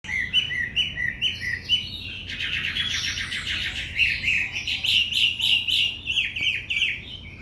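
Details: White-rumped shama singing in the afternoon, kept for breeding, a fast continuous stream of whistled and trilled notes, a dense rattling passage in the middle, steady low background hum.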